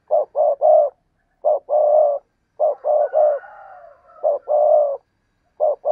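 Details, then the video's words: Spotted dove repeating its hollow three-part coo: quick short notes followed by a sustained low note, about five phrases in six seconds. A faint higher wavering tone sounds briefly in the middle. "cu gáy"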